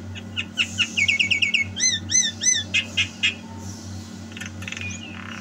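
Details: Lively Javan myna song from 2022: quick series of clear whistled notes, then rising and falling slurred whistles repeated about three times a second, fading into softer scratchy sounds, with a constant low hum behind.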